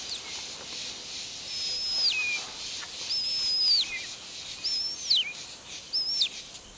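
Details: A rescued captive White-tailed Hawk having lunch gives four thin, high whistles, each held briefly then sliding sharply downward, about a second and a half apart, over a steady background hiss.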